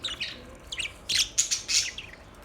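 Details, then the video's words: Brief budgerigar chirping: a few quick swooping chirps, then two or three louder harsh bursts. "Budgies chirping sounds"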